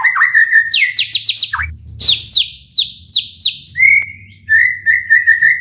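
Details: Provocation song of a White-rumped shama, used to trigger singing in other shamas: rapid high note series, then spaced loud downswept notes about every half second and a steady trilled whistle, low hum beneath.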